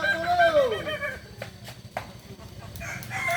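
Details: Kukuak Balenggek rooster at a crowing contest final in Ampang Kualo, Kota Solok, on Sunday 8 September 2024: one long arched crow in the first second, then sharp clicks and scattered crowd noise.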